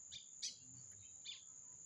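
A lined seedeater gives three short, bright, chirping notes spaced unevenly over about a second, against a steady high-pitched whine.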